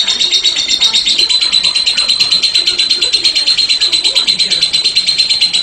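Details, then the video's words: Lovebird delivering a sustained ngekek, a dense high rattling trill of quick buzzy pulses that flows unbroken, indoors with faint low background noise. "LOBET SEDANG NGEKEK PANJANG"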